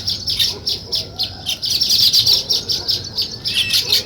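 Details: Weaver birds building a nest, giving a dense, continuous chorus of high, sizzling chirps and chatter in pulsing bursts, with several birds calling over one another throughout.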